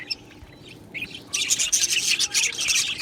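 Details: Budgies in an Australian parakeet aviary colony: a quiet opening with a few soft separate chirps, then a sudden surge of dense, excited high twittering from many birds.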